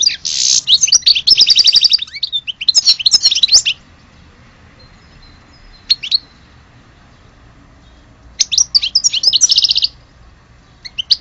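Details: Algerian European goldfinch sings two short twittering phrases with trills, goes quiet for several seconds apart from a single note, then gives another trilled burst.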